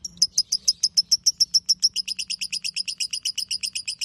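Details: Lovebird ngekek master for training other birds: crisp, sharp ticking chirps repeated rapidly, about seven each second, the notes turning doubled and slightly lower halfway through.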